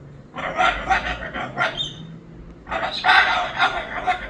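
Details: Pet Moluccan cockatoo producing a run of raspy, chattering squawks in uneven pulses, a short pause, then a louder, harsher screeching stretch with repeated rough syllables.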